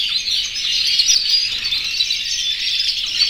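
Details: Chorus of more than a hundred aviary canaries, yellow, red and white, males in breeding condition calling females; unbroken high-pitched mass of warbling trills and rapid chirps from many birds at once.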